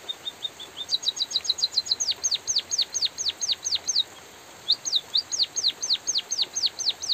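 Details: White-headed munia (bondol haji) singing, from a training recording: soft chirps, a rapid trill of high notes, then a long series of loud down-slurred whistles, one brief gap, and the series continues.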